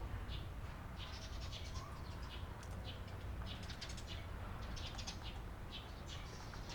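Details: Eurasian tree sparrows recorded on 28 April 2022, giving short bright chirps in quick overlapping bursts throughout, as from several birds together, over a steady low rumble of background noise.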